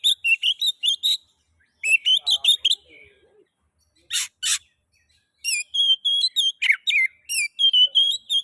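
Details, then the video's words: Oriental magpie-robin (kacer) song intended to spur other magpie-robins to sing: quick repeated chattering notes, a pair of harsh rasps, then long wavering whistles interwoven with buzzy notes. "Pancingan kacer ngeplay...cocok untuk merangsang bunyi kacer"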